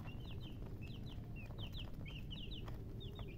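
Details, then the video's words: Baby chickens chirping busily: high, falling peeps in quick clusters of two or three, repeated throughout over a low, steady hum. "Baby "Chicks Chirping" Sound"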